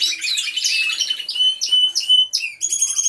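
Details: Canary song in an aviary, recorded via hidden camera: a string of sharp, clear chirped notes with downward slurs, repeated several times a second, over softer background twittering.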